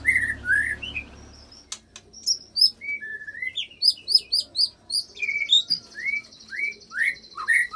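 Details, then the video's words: Shama song used to stir rival fighters into singing, with imitated cililin phrases. Scattered whistles and sharp chips lead into evenly spaced, rising and falling chirps, over a faint steady high buzz. "Bongkar Isian Murai Isian Cililin Sambung Kenari Ngerol Panjang"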